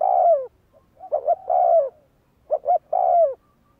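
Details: Repeated cooing from a spotted dove kept as a decoy bird in training. The clip opens on the tail of a falling coo, followed by two full phrases, each of two quick notes and a long descending coo, roughly every one and a half seconds.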